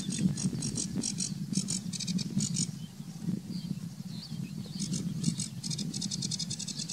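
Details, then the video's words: A Eurasian reed warbler at Weerribben, Netherlands, on 18 May 2018, singing less vigorously than usual, gives a steady, chattering string of high, scratchy notes, each repeated two or three times, over low wind rumble. "Kleine Karekiet"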